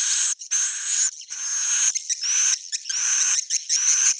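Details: Swiftlet roosting call (suara inap) for attracting edible-nest swiftlets: loud rasping chirr bursts, some broken into quick stutters, each carrying a faint high whistle, in rapid succession.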